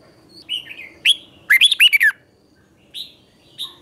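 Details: Morning song of a red-whiskered bulbul used to train newly caught bulbuls for contest singing; a few soft whistles, then a quick bright phrase of looping notes, and single chirps afterwards.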